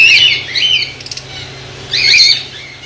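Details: White lovebirds from a colony in Pakistan: two loud, harsh, high squawk bursts about two seconds apart, with quieter chatter between.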